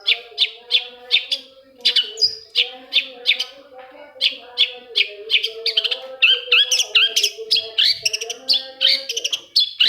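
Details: Lure song of a long-tailed shrike, meant to stir silent shrikes into singing morning, noon and night: a steady run of short, high, clipped notes that turns into faster, varied twittering and slurred whistles.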